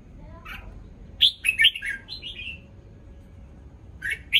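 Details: Red-whiskered bulbul, recently moulted, singing in the morning: a soft chirp, then a cheerful phrase of loud warbled notes sliding downward, a quieter trailing phrase, and a fresh start at the end.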